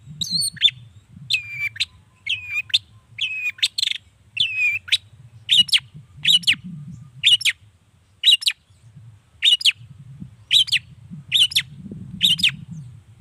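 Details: Long-tailed shrike song used to stir rival shrikes into replying. Repeated short phrases: a sharp click followed by a slurred whistle, given roughly once a second in a steady series. Faint background rumble.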